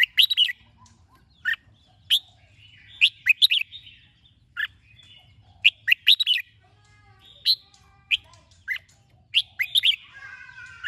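Red-whiskered bulbul singing bright, bubbly whistled phrases in short bursts about every second, with a faint low hum beneath.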